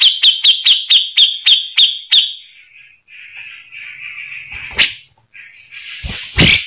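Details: Grey-cheeked bulbul, a tutor voice for white-rumped shamas, giving about eight clear sharp whistled notes in quick succession, then a soft wavering warble and two loud rasping bursts.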